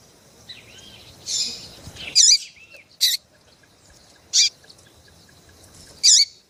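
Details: Female double-collared seedeater call used to warm up males for song tournaments; four loud, clipped chirps spaced one to two seconds apart over softer wavering whistles and a low background hiss.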